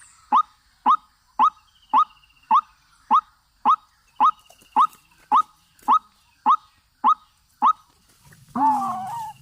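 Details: Used as a trapping lure, a white-breasted waterhen repeats a short, upward-swooping croak about every half second, some fourteen times. A louder, drawn-out, wavering note cuts in at the end.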